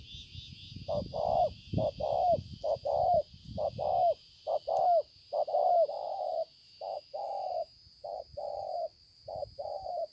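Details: At Konlong, 5 September 2020, a wild-caught spotted dove ('bổi') with a handsome pearl-spotted collar coos repeatedly. It makes mellow, low two-part phrases, a clipped note then a drawn-out slightly falling one, in a steady run, with a faint constant high hum behind.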